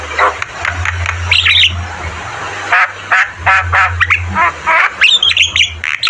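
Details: Javan myna singing hard on a training recording: grating, buzzy squawks in quick groups, a few thin whistled notes near the end, against a background hiss and low hum.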